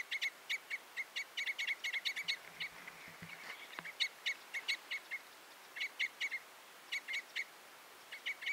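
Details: Common Crossbill giving short, sharp, clipped notes in quick bursts of two to five, spaced through the clip, with faint low thumps near the middle.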